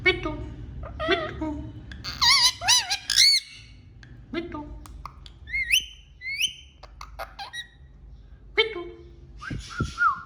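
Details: Talking pet parrot giving a jumble of harsh squawks, clear upslurred whistles and speech-like warbles, with sharp clicking noises and low indoor hum underneath.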